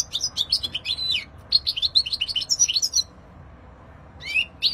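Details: European goldfinch in rapid, tinkling twittering song, bright chirps and short trills tumbling together for about three seconds, a pause, then a rising note and fresh twitter.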